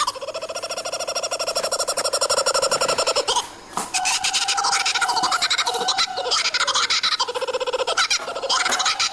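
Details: Kookaburra giving its laughing call: a loud, raucous, rapidly pulsed chatter that rises and falls in rolling bursts over nine seconds. The pulses are harsh and densely layered, sounding like cackling laughter, and they barely pause mid-way before resuming.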